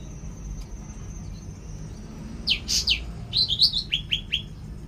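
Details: Cucak ranting in brief song: after a quiet start, loud sharp chirps, then a quick cluster of high twittering notes and three descending whistled slurs, against low background noise.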